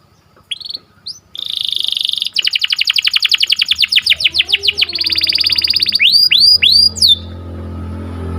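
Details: Canary singing in the morning, melodious and lively: thin rising whistles open into a fast rolling trill of sweeping notes, a buzzy even tour, then a few loud upward-curving whistles over a faint low hum.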